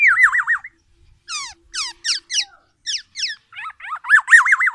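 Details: Tame kepodang emas, the black-naped oriole, sings loud, distinctive phrases: a warbling, wavering whistle, bursts of steeply falling sharp notes, then another quavering whistle at the end.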